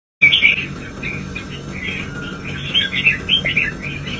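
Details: Red-whiskered bulbul kept as a pet, stimulated to sing fiercely: bright, chirpy warbled phrases delivered in quick bursts, over a steady electrical whine and a low background hum.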